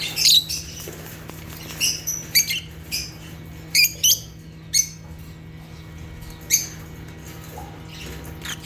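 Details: African lovebirds giving separate sharp, high chirps and short squeaky squawks, spaced irregularly a half second to a second apart, with quieter chatter between and a steady low hum in the background.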